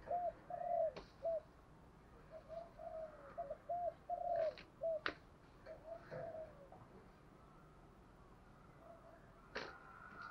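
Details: Spotted dove cooing to lure wild doves: quieter repeated hooting coos in pairs and short series over a hissy background, with occasional sharp clicks and knocks.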